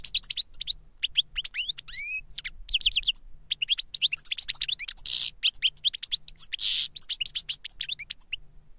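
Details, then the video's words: An older goldfinch teaching a younger goldfinch through song, with dense high twittering, clear upward-sweeping whistles and two short buzzy wheezes among rapid chirps. "Older GOLDFINCH SINGING to Teach Younger Goldfinch"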